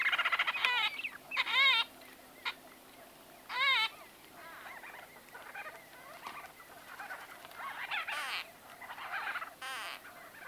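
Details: White-fronted bee-eaters conversing at close range, loud nasal squawks with ringing harmonics mixed with softer chattering and buzzy notes from several birds over about ten seconds.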